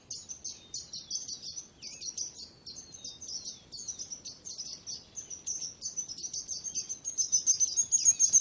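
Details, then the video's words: Several birds sing at once: varied high trills and twittering phrases, with a brief lower slurred whistle early on. The chorus starts softer and grows louder and busier toward the end. "Relaxing Birds Chirping Sounds | Relax With Singing Birds Sounds"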